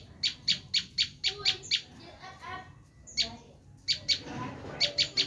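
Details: Bar-winged prinia screaming call used to lure wild prinias: bursts of harsh, high, buzzy notes repeated rapidly, broken by a quieter gap midway, with faint lower sounds beneath.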